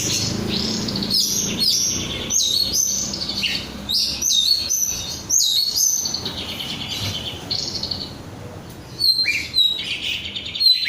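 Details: Oriental magpie-robin (kacer), an untrained 'bahan' bird called 'rudal korea', singing actively (gacor): rapid high chirps, sharp whistled notes and buzzy trills in quick varied bursts with short pauses, loudest near the end; faint low hum beneath.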